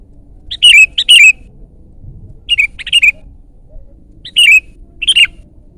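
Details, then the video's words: Sooty-headed bulbul in loud song, used to lure and tutor birds: repeated pairs of bubbly, falling whistled notes, four pairs spread across the clip with short silences between, very clear and close. "ISIAN BURUNG KUTILANG GACOR MEWAH !! SUARA KERAS"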